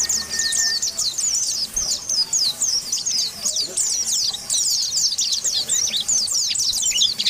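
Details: Ngalas-style calling of Oriental white-eye meant to provoke rivals: a continuous stream of thin, high chirps and quick descending notes, busy and overlapping, with a short faint tone near the start.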